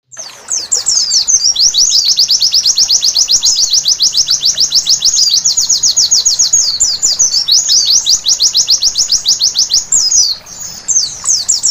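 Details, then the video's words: White-eye singing at night, a long fast run of high, sharp chirps repeated about three to four per second, some notes rising, others falling, with brief varied twittering phrases between trills. "Terapi Pleci Malam Hari Bikin Gacor seketika!!!"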